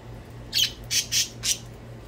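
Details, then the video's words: Pet budgies playing indoors, described as hungry, give four short, sharp, high chirps within about a second over a steady low hum. "Budgies chirping and playing"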